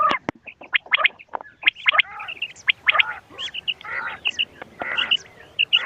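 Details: Quail calls for luring birds on a hunt: a busy string of quick high chirps and short squeaky notes mixed with grating bursts, uneven in rhythm.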